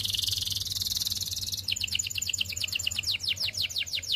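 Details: Belgian canary in song, opening with a loud, very rapid high trill, then switching to a quick series of sharp descending swept notes repeated several times a second.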